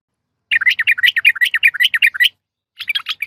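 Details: Female yellow-vented bulbul calling a male: a continuous, fast chattering string of about sixteen bubbly notes, then a shorter burst of similar chirps after a brief gap.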